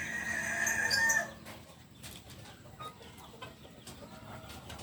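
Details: Solok, West Sumatra Kukuak Balenggek cockerel of biriang kuniang colouring, purebred, ending a crow: a strained harmonic note over one second, then low background noise with scattered taps.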